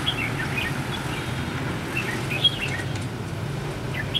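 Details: Decoy red-whiskered bulbul singing a fighting song to lure birds into a trap, first day of Lunar New Year 2016: brief bubbly chirped phrases, some with a sharp whistled note, against steady traffic-like rumble.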